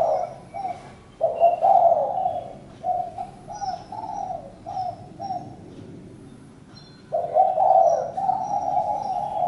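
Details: Spotted dove repeating short, husky coos in a choppy series, fading into quiet, then a louder sustained coo phrase, with light chirps of other birds.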